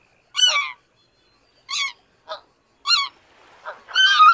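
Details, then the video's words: Greater white-fronted goose giving five or six separate honking calls, each short, nasal and harmonic-rich, spaced about a second apart against a quiet background. "白額雁/Greater White-fronted Goose"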